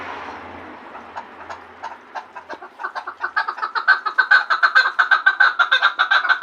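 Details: Chukar partridge from Gharm, starting with faint scattered chuk notes over a low hum that swell into a loud, fast, rhythmic clucking series in the second half.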